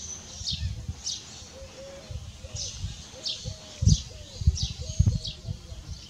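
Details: Two fledgling Iberian magpies that left the nest early are on the ground; one falls, gets scared and cries. Thin, high calls slide downward every half second to second, over low rumbling noise. Several adults come to help.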